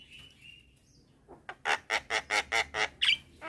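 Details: Javan myna at midday, a young bird calling to others; faint whistles at first, then a rapid series of eight harsh rasping squawks with a rising whistle at the end.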